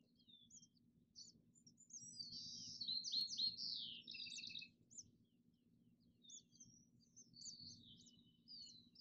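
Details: Father House Finch warning nestlings on day eight after hatching, reacting to a person's voice inside the house; rapid bursts of high, buzzy chirps and twittering, about four notes a second, louder in the middle, over a steady low hum.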